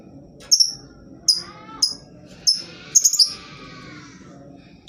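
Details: Piercing high lovebird chirps played to coax silent birds into singing, delivered as six or seven sharp, clipped bursts, a few tightly clustered near the end, with a faint low hum beneath.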